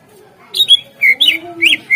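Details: Greater green leafbird song, used as a lure to set other birds singing: a short, bright sequence of clear, slurred whistles rising and falling, delivered in quick pairs.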